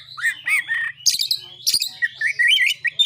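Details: Brief burst of Oriental magpie-robin narung song meant to challenge rival birds: harsh squawky notes and scratchy bursts, then rising whistled phrases, with a faint low hum.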